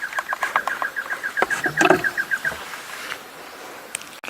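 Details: Cuckoos calling at sunset on 25 December in African bush where two drainage lines converge: a rapid run of short, even, mid-pitched notes, about seven a second, fading after two and a half seconds over faint clicks.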